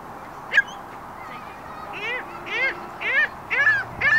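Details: Gulls calling: a series of loud, harsh, downward-bending squawks repeated about twice a second, growing louder towards the end, over a steady background hiss.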